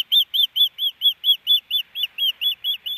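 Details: Osprey at its nest in Hellgate Canyon, Missoula, Montana, on April 12, 2019, as the male settles the female: a steady run of about thirteen sharp, high, down-slurred whistled chirps in three seconds.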